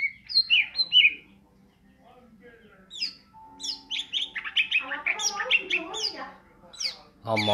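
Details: Greater green leafbird singing in the ngentrok style: clear rising whistles at the start, a pause with a low steady tone, then a dense, fast medley of slurred chirps and whistles, ending in a loud harsh burst.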